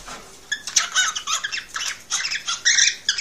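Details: Excited cockatiel male song aimed at prompting a female to breed: after a quiet start, scratchy chattering phrases with harsh squeaks follow in rapid, irregular bursts.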